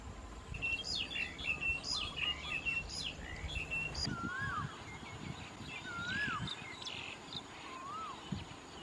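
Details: White-vented mynas eating Ficus rumphii figs in rice fields at Khao Yoi, Phetchaburi province, Thailand, on 28 March 2016: busy high chattering chirps, then three curling, falling whistled notes, with outdoor background noise.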